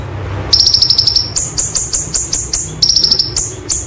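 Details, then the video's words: White-eye (konin) singing 'roll tembak' training material: after half a second of quiet, a high trill leads into a string of rapid, sharp, rolling bursts that jump up in pitch. "Konin Materi Roll Tembak Sejalur ‼️ Masteran Konin Gacor Roll Tembak"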